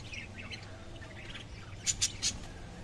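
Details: Lovebird calls: faint chatter at first, then three sharp, high-pitched squawks in quick succession near the end.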